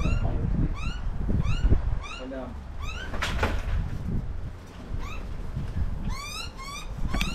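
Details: Butcherbird adult and young feeding in a suburban Australian garden in summertime; upward-sweeping calls repeated at intervals, broken by sharp clicks and knocks, ending in a quicker run of rising calls.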